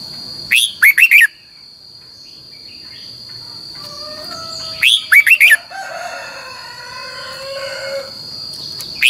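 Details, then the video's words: Red-whiskered bulbul training song in the long twisted double-voice style, used as a decoy for other birds: two bursts of quick, sharp, chirpy slurred notes about four seconds apart, with faint softer sounds between and a constant high whine. "luyện giọng cho chào mào hót hay - Giọng kép xoắn dài"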